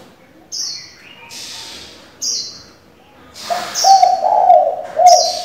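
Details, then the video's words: Spotted dove used as a decoy to stimulate and train young doves; varied voices. Short chirps at first, then a low, throaty, rolling coo in the second half, with sharp high chirps from another bird. "Cu gáy đảo giọng liên tục, kích bổi hay, luyện CU non chuẩn!"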